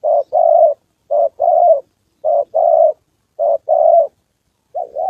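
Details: Decoy spotted dove during trapping practice in Gia Lai, Vietnam, on the 2 September holiday, with a wild bird and a female nearby. A short coo and a drawn-out coo pair up, recurring about every 1.2 seconds.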